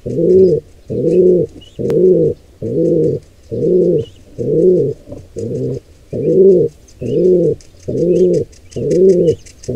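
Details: Wild pigeons at a nest where a nestling squab is attacked by an intruder pair: low, arched cooing notes repeated steadily about once a second, with faint high chirps from other birds above.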